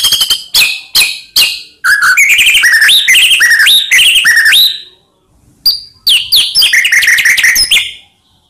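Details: White-rumped shama lure song meant to excite quiet shamas: four sharp chip notes, then a fast run of repeated rising whistled phrases, a short pause, and another quick rising series.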